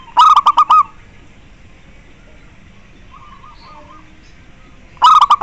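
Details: Zebra dove song, meant to stimulate mating and make other doves call: two bursts of five or six quick, hollow, stuttering coos, about one second each, at the start and end, separated by quiet background hiss with a faint distant chirp.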